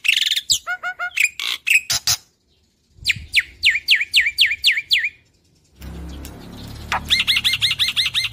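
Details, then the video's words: A young Black-winged starling (Sturnus melanopterus), a mimic, sings a varied song: squeaky whistles and harsh chatter, a run of seven slurred downward whistles, then quick looping whistles repeated several times a second. "Jalak Putih Gacor Full Nembak"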